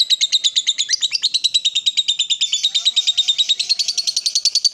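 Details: Excited lovebird in full ngekek, a long unbroken shrill chatter of very rapid harsh pulses, steady and high-pitched throughout, with a faint lower tone in the background near the end.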